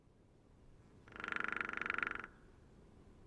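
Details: Hairy woodpecker (Leuconotopicus villosus) of North America drumming: one fast, even roll of about 25 sharp knocks lasting just over a second, ringing and woody, rising in loudness and stopping abruptly, against quiet background hiss.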